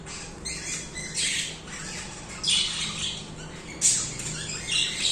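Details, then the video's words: Continuous budgerigar singing, with irregular scratchy, buzzy warble phrases and sharp squeaky notes rising and falling in loudness, plus a faint steady low hum beneath. "Budgies singing/chirping"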